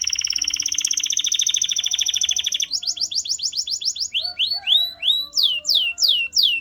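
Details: Canary song opening with a long fast buzzy roll, then quicker chopped notes, rising chirps, and finally loud falling whistled sweeps about two per second.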